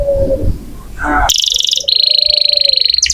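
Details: Energetic singing canary used as tutor song for training magpie robins. A low whistle and murmur come first, then rapid high trills and a long, steady, piercing whistled note, ending in fast chirps.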